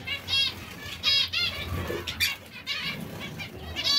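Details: Zebra finches pecking at seeds and salad utter repeated nasal, buzzy beeps with rich overtones roughly every half second to second, accompanied by soft low rustling and hum.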